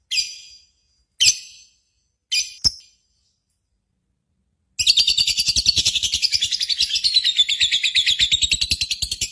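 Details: Contest-simulation lure of lovebird singing: three sharp, high chirps over two and a half seconds, a pause, then a long unbroken stretch of fast, rattling, shrill chatter.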